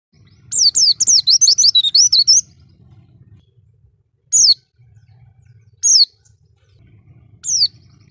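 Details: Oriental white-eye song used as a lure to attract other birds: a quick run of high, thin, wavering whistled notes, then single high descending tseee calls spaced about one and a half seconds apart, with a faint low hum behind.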